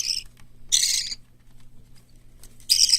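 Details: Indoor parakeet chicks (white lovebird, cockatiel, budgerigar) being raised for hand-taming give loud grating rasps, three bursts within three seconds separated by near silence.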